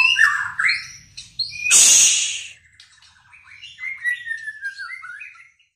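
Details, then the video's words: White-rumped shama song: opening warbled notes, a loud hissing burst, then soft descending whistled phrases that fade away. "Burung Murai Pastol Menyusun Lagu"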